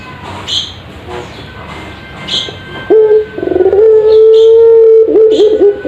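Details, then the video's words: Puter pelung ringneck dove, caged, in a master recording for training. A quiet opening with faint high chirps, then a sharp onset, a stuttering pulsed note, and a long steady drawn-out coo ending in short wavering notes. "Masteran Burung Puter Pelung Paling Ampuh"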